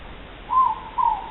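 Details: Morepork (ruru), one of two birds recorded 3 August 2014, giving its two-note call: a higher first hoot then a slightly lower second hoot, half a second apart, over a quiet hiss.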